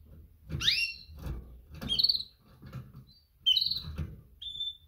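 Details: Female canary's mating call for males: quick high chirps, the first harsh and sweeping, the last a thin pure whistle, amid low thumping and shuffling sounds.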